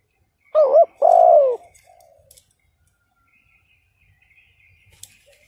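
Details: Spotted dove decoy giving a provoking call: one phrase of a short wavering double coo followed by a longer falling coo, then quiet with faint high chirps in the background.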